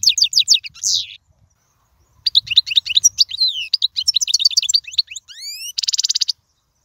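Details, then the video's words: Royal-style European goldfinch song for tutoring young birds: rapid twittering phrases, a brief pause, then varied chirps, a series of rising whistles and a harsh buzzy trill at the end. "أفضل تغريد الحسون"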